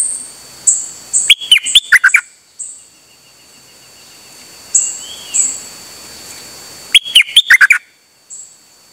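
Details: Dok taeng bird, recorded 8 September 2023, calling without pause on an outing: two rapid bursts of snappy, chipping notes, one early and one late, separated by quieter high tones and a soft slurred whistle.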